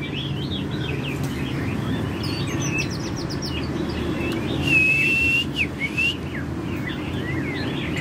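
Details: A gene-mutant white-winged white-rumped shama sings quick, varied chirps and whistled phrases, with one long, steady whistle midway, over a constant low background rumble.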